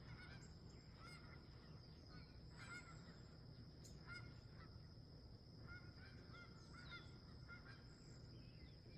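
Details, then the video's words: At sunrise near a campsite, wild geese give clusters of short, harsh honks every second or two, several birds overlapping, against a persistent low-pitched rumble. "Sunrise Camping With Wild Geese"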